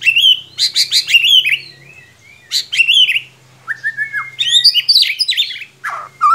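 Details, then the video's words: Loud white-rumped shama lure song meant to make a young bird sing: rich rapid whistled trills and chatters in repeated bursts, a falling slur and varied sharp notes, with a faint low hum behind. "Solusi murai ngiriwik kurang gacor cukup dengarkan suara pancingan ini pasti nyangut"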